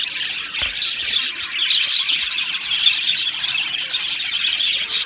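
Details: Budgerigars, an aviary colony of Australian parrots, singing and chirping: a continuous dense wash of high, scratchy chirps, twitters and warbling chatter from many birds at once, with a few sharp clicks throughout.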